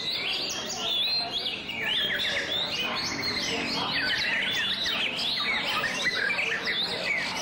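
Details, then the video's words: A White-rumped shama, a favoured bird, performs its song display: a dense, continuous stream of varied whistled and warbled phrases. Quick rising and falling notes overlap throughout, with no pauses and faint background hiss. "Shama's Song-Display"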